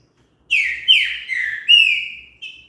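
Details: Green-winged saltator song used to prompt a bird to sing: a full-toned whistled phrase of four downward-slurred notes, ending with a brief higher note, about two seconds long against near silence.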